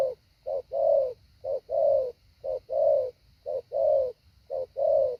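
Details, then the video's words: Spotted dove used as a training decoy gives mellow low coos in pairs, a quick short note then a drawn, even coo, five pairs spaced about a second apart. "Mồi tập hạ bổi"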